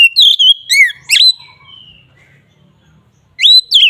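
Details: Ngeplong-style song of an Oriental magpie-robin, played to lure magpie-robins: quick loud whistles and bright slurred chirps, a fading trill, a quiet gap with faint low murmurs, then the phrase starts again.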